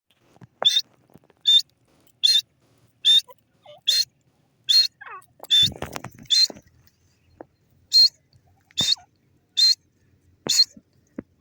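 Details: Grey francolin, known locally as teetar, in Pakistan: harsh, high, buzzy notes repeated at a steady pace, about one burst every 0.8 seconds, with a brief rustling noise midway.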